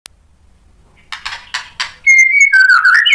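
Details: White-rumped shama, a lively singing bird, used to provoke other shamas into singing: after about a second of near silence come a few broad harsh bursts, then a loud whistled phrase with steady tones and warbling notes.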